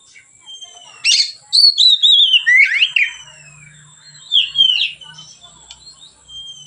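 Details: Oriental magpie-robin (kacer) singing in a relaxed, open 'ngeplong' style, used as a lure and training song for other magpie-robins; loud whistled descending slurs and rich warbled phrases in two bursts, over a faint steady high tone and low hum.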